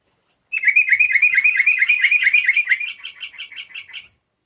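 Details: Rapid, continuous chattering of a yellow-vented bulbul, roughly three and a half seconds of tumbling bright notes that gradually weaken, used to incite other bulbuls to sing.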